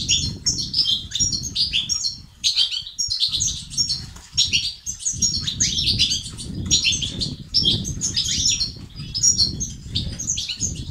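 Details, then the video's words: Male-stimulating European goldfinch song in the batbata and sastasat styles, meant to cure silence and raise activity; rapid twittering bursts of high chirps and trills with brief pauses, over low fluttering noise. "بتبتة وستستات للتحفيز الدكور الحسون وتساعده في زيادة النشاط وتحفيزهم على تغريد وعلاج صمت حسون"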